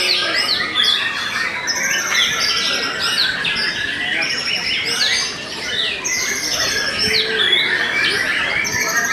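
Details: White-rumped shama, Murai Batu Belanda type, described as stable in song: varied chirps, trills and sharp whistles pour out nonstop, loud and densely layered, with brief softer dips.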